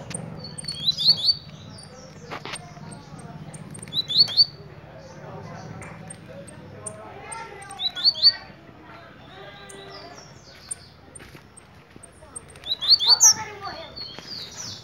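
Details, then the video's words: Blue-black grassquit repeating its brief, high, buzzy rising phrase about every three to four seconds, with people talking softly between the phrases. "TIZIU TUI TUÍ"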